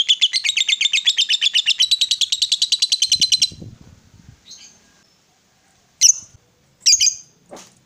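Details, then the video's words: Female fighter lovebird giving a ngekek long chatter, meant to provoke rival lovebirds: about 3.5 seconds of rapid, harsh, evenly pulsed high notes. Then a few soft rustles and three short sharp chirps after a pause. "SUARA LOVEBIRD BETINA FIGHTER, Bikin Lawan Tak bisa Nahan Emosi, Nyaut Bunyi Ngekek Panjang"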